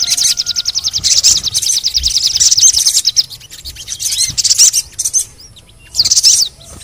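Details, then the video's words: Crimson sunbird (sogon), heard in playback for stimulating quiet birds: an even, machine-gun trill of high notes lasts about three seconds, then shorter twittering bursts separated by pauses. "TERAPI SOGON MALAS BUNYI❗PAKE AUDIO INI DIJAMIN BURUNG SOGON MANAPUN PASTI IKUT BUNYI GACOR NGLEPER"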